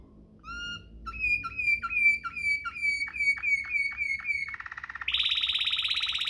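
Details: Waterslager canary in a tutor song recording for canaries: a pure whistled note, repeated sliding whistles at a steady pace, a quick buzzy roll, then a high rapid trill.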